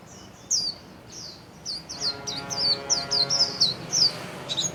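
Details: Caged white-eye kept as a songbird, spreading its wings while singing the rapid 'líu' warbling style: short high sliding chirps in quick irregular succession, with soft steady music playing underneath for the second half.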